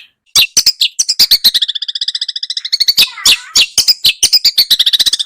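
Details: Small birds sing a tutor song for a white-rumped shama. Bright chips speed into a long, even trill of metallic notes, then a burst of mixed high chirps and more rattles.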